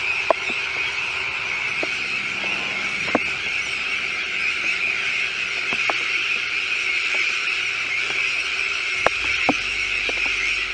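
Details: Many Sandwich terns calling together at a nesting colony with chicks on a recently constructed shell island, De Putten, Netherlands; steady grating chorus with scattered clicks and a brief low rumble.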